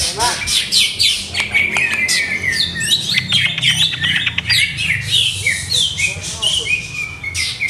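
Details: Greater green leafbird held in a cage while its owner trials its setup, singing a long, loud, continuous stream of rapid chips, sharp sweeps and rattling high notes with barely a pause.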